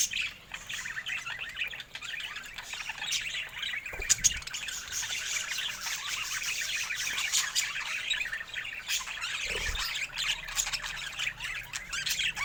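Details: Steady high-pitched chatter from colorful pet budgerigars, busy overlapping chirps and warbles with a couple of dull knocks in the background.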